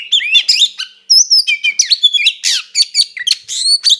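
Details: Kacer (Oriental magpie-robin) in full 'gacor ngeplong tarung konslet' fighting song, used to provoke another kacer. Loud, rapid, varied whistles and sharp chirps, many slurred up and down, with a brief pause near one second.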